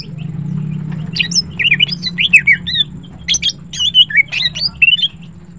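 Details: A female greater green leafbird, known locally as green cucak, sings in the morning: a lively run of rapid, looping whistled notes that climb and dip, loud and continuous after the first second, with a low hum behind.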